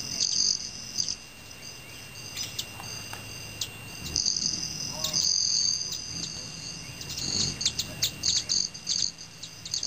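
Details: Evening feeding in Teller County, Colorado: male Broad-tailed Hummingbirds hover and fly, including backwards, their wings giving a high, metallic, buzzing ring in repeated bursts, longest around the middle, ending in rapid stuttering pulses.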